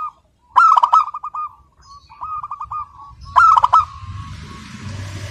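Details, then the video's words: Local zebra dove in continuous song with a crystal-clear voice: bursts of sharp stacked notes, then rolling, evenly pulsed coos. A hissing noise and low rumble rise near the end. "Perkutut Lokal GACOR SUARA KRISTAL MANGGUNG TANPA JEDA"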